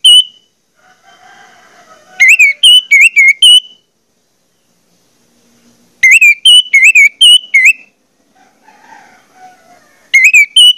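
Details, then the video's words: Song of an orange-headed thrush used to prompt others of its kind to sing: three bursts of rapid, loud whistled notes, each with five or six slurred whistles, separated by quiet gaps with faint low background sounds. "pancingan anis merah bikin anis merah lain cepat ngeplong"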